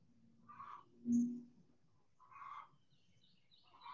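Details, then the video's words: Sunlit backyard chickens making two short clucking phrases, separated by a brief low thump and faint background noise. "Backyard Chickens In The Sun"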